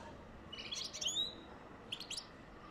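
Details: A European goldfinch sings to stimulate mating, giving two quick bursts of high, liquid twittering laced with thin rising and falling whistles, over a faint steady hiss.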